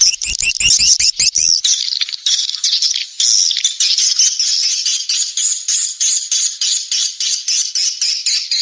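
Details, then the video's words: Rainy-season lure call for attracting swiftlets, the SP Neptunus recording. A brief run of crisp clicks leads into a long stream of high, buzzy chirps repeated in quick pulses with short gaps. "SUARA PANGGIL BURUNG WALET"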